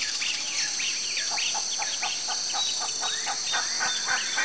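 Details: Campo flicker, a large South American woodpecker with ground-dwelling, open-country habits, giving a series of short, sharp notes about three to four per second over a steady high hiss of insects.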